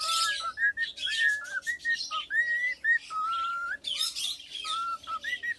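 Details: Tame male cockatiel, three years old, whistling a serenade for its owner in choppy bursts of clear notes, some long and level, others curling upward, over scratchy rustling sounds.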